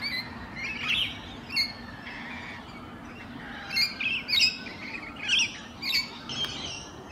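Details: Wild Rainbow Lorikeets in natural habitat, preening one morning: bursts of shrill, grating squawks and chattering notes, clustered in quick groups of two or three with short pauses, against faint outdoor background noise.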